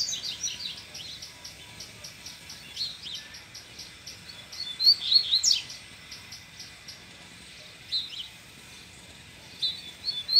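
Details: Male double-collared seedeater kept in a cage set among brachiaria grass, stirred by a nearby female: short, rapid runs of sharp, high twittered notes, the loudest burst midway, then two briefer phrases, with constant cricket pulsing behind.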